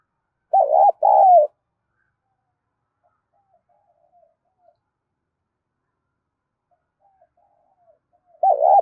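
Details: Spotted dove from Dong Nai calling as a lure: a quick pair of wavering coos, a long quiet pause with faint soft notes, then the paired coo starts again.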